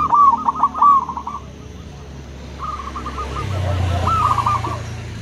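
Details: Zebra doves, local and crossbred birds, trade songs: a quick stuttered series of coos opens, then a longer rolling phrase follows after a pause, while a low rumble like a passing vehicle rises midway.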